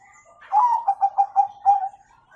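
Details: Zebra dove of the Bangkok type with a 'kung'-style song, used as a model for young birds: one rapid phrase of six rhythmic, mellow cooing notes, the first stretched and slightly rising, the rest clipped and even.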